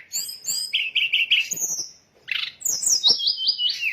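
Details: Lure sound of the sooty-headed bulbul meant to make birds swoop in: three short whistled notes in a row, a sliding high whistle, a short pause, then a descending series of bright warbled notes.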